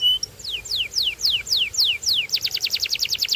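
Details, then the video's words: Canary singing: a series of clear whistled notes sweeping steeply downward, about six in a row, then a fast buzzy trill of rapidly repeated high notes. "Get Ready To Be Amazed By The Incredible Sound Of This Special Canary"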